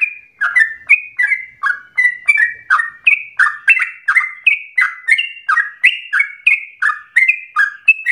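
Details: Yellow-vented bulbul singing, a lure recording meant to get other bulbuls singing long and continuously; dense chattering run of warbled, downslurred notes, steadily repeated over eight seconds.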